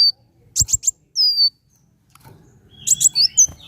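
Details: Van Hasselt's sunbird song meant to stimulate caged birds: three quick piercing ticks, a sustained thin falling whistle, a pause, then a busy burst of high twittering notes.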